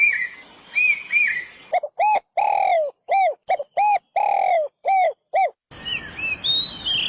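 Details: Birdsong from a May 5, 2023 recording: loud, clean arched notes repeated in a quick, uneven series with brief gaps, preceded by paired higher chirps and followed by softer twittering.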